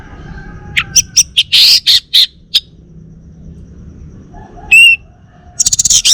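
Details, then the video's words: Male orange-headed thrush of Bali origin, a home-kept songbird, delivers a loud buzzy cluster of chirps, a pause, one clear ringing whistle, then a fast rattling series at the end. "Kicau Burung ANIS MERAH Bali Jantan"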